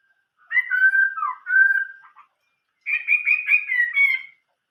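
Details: Old-forest voice song of a Chinese hwamei: a long clear whistled phrase with wavering, slurred notes, a short gap, then a quick series of bright, rapidly repeated whistles that trail off.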